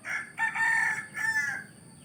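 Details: Rooster crowing in a village. One full crow, a hoarse opening note then a long, strained, harmonic-rich middle and a falling finish, over a steady high electrical whine.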